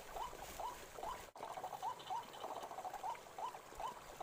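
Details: White-breasted waterhen calling in a forest. Short upward-hooked notes are repeated quickly, a little unevenly, with a brief silent break early on and faint background hiss.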